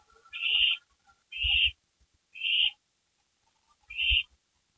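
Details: Owls on a porch just after midnight, May 3, 2012, producing four hoarse hissing screeches about a second apart, with soft thuds and faint low tones.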